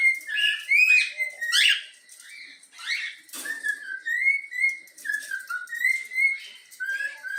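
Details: Young yellow-cheeked cockatiel taught to whistle the Flamengo anthem, indoors: opens with several buzzy upward chirps, then a run of clear sliding whistled notes forming a tune, phrase after phrase.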